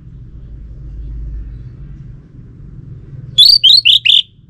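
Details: Orange-headed thrush lure phrase meant to make a male answer: after a long stretch of faint background rumble, four quick, high whistled notes close together at the end.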